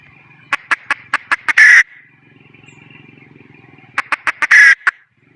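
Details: Female red junglefowl hen calling: a run of six sharp, evenly spaced clucks followed by a loud, harsh drawn-out squawk, the pattern repeated once more after a soft low murmur.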